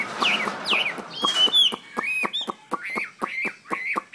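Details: Chinese hwamei ('hoa mi xoe') giving short slurred whistles. Two downward swoops open the passage, then a bright trill, then a series of arched whistled notes about every quarter second, mixed with crisp clicking sounds.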